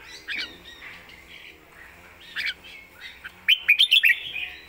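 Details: Red-whiskered bulbul in a cage, a bird valued for clear song and fast, crisp notes; soft warbling opens, then a loud burst of five or six quick sharp chirps closes the phrase.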